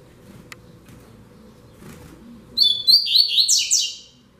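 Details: Rusty-collared seedeater giving the classic 'Tui Tui Zel Zel' song used to tutor young birds: after a quiet start, a bright burst of rapid, high, slurred whistled notes for about a second and a half.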